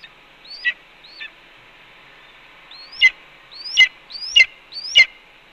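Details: Red-tailed hawk on a Cornell nest, vocalizing in early afternoon as its mate eats a pigeon after delivering two voles. Six upslurred whistles, each closing with a scratchy burst, come in an uneven series after a pause.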